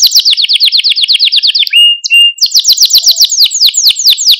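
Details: Malta canary song for encouraging canaries to sing: a steady high trill of quick descending notes, a brief pure whistled note, then a louder and faster chopped trill continuing to the end.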